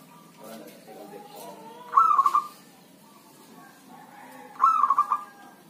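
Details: Healthy zebra dove kept by an owner, singing in rain or drizzle: two bursts of rapid trilled cooing, each a rising note then quick rolling coos, about three seconds apart, over faint background hiss.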